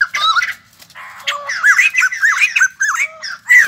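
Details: Recently caught white-crested laughingthrush kept as a cage bird delivers a quick run of loud, harsh, wavering squawks and cackles, closely packed with barely a gap.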